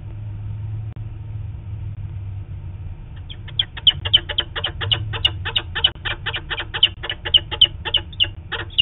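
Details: Distant calls, probably from the male, of a wild peregrine falcon pair, picked up by a nest-site camera on 4 October 2017 while both adults fly. After three seconds of low hum, rapid sharp clicking notes follow in a fast run.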